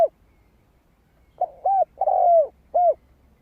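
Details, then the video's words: A spotted dove sings to lure wild doves: brief low notes lead into a long smooth descending coo, closed by a short clipped coo, with a quiet background. "Tiếng chim cu gáy kích mồi cực sung"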